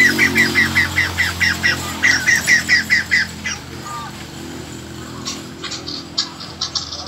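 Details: Captive white-crested laughingthrush in song training, 2020 season; a run of about a dozen short, sharp chirped notes repeated quickly and evenly, then scattered softer notes over a steady low hum.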